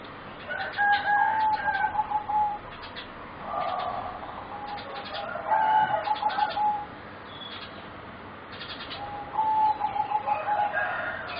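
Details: Four young singing zebra doves, aged about 3.5 to 4 months and bred for competition song that differs from wild birds: three clear bouts of high, beaded, trilling coos, each about one and a half seconds, separated by pauses.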